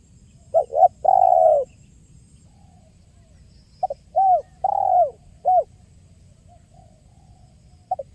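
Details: Tekukur, a spotted dove, in the clear kuk 1 style used to lure birds: a short phrase ending in a long coo, then a longer run of clipped and hooting coos, and a stray note at the end.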